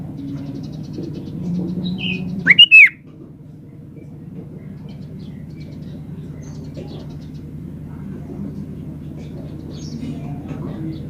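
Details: Sooty-headed bulbul singing vigorously; one loud, short, bubbly phrase of slurred whistled notes rising then falling, over a steady low hum and faint background murmur.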